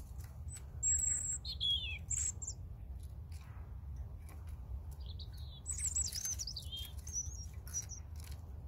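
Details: Two separate European robin phrases, each opening with high piercing whistles and dropping into fluid, tumbling warbles, quiet between, over a low continuous hum.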